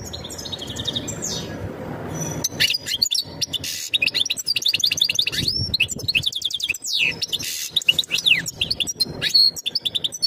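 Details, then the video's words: European goldfinch mating call for preparing the female to breed: soft buzzy trills over background hum, then from the third second a continuous busy twittering of chirps and slurred notes. "تغريد الحسون نذاءات التزاوج لتجهيز أنثى الحسون"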